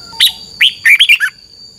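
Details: Single brisk phrase from a caged Red-whiskered bulbul in Thailand, double-style song: a sharp upward note, a rising slur, then four quick warbled notes dropping in pitch, with a faint constant high tone behind.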